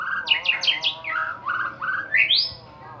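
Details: White-rumped shama, a champion bird, giving lure song to provoke others: four quick sharp downslurred notes in a row, a pair of lower swoops, then a long clear whistle rising steeply and holding high.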